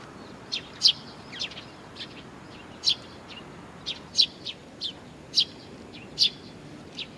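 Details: Nestling birds waiting for their parents at Tenmangu shrine, Nakanoshima, on 25 June 2020, giving sharp, high chirps spaced irregularly about every half second to second, some doubled, over a faint steady background hum.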